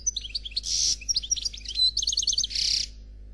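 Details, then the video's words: European goldfinch singing in the Noir Khalwi style, described as faultless: quick high twittering notes and short trills mixed with two dense buzzy bursts, all in a rapid, varied stream. "Chardonneret Noir Khalwi Chant sans fautes"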